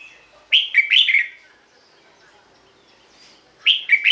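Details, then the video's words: Red-whiskered bulbul song for decoy use or to excite caged birds: a short bubbly whistled phrase of four quick rising-falling notes, silence, then the phrase begins again near the end, with a faint steady high hiss. "เสียงนกกรงหัวจุก สำหรับต่อ หรือ เปิดให้นกคึก"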